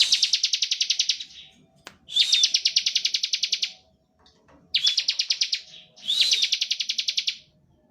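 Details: Standard ngebren song of a bar-winged prinia, used as a lure to get other prinias singing. Four fast, even trills of sharp repeated notes, each lasting one to one and a half seconds, with a faint click between.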